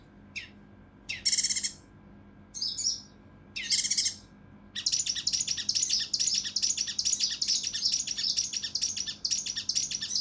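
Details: Cucak rante mas, or mountain leaf warbler, in the emotional kinoi style of rough, dense shots used for tutoring contest birds: several separate high buzzy notes, then a sustained fast run of piercing chirps.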